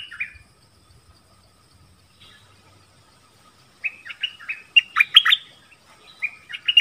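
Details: Dok taeng bird calling a mate from a decoy cage in the forest, 13 January 2021. A brief note opens, then about three seconds of near quiet, then a flurry of sweet, rising and falling whistles, some loud and sharp.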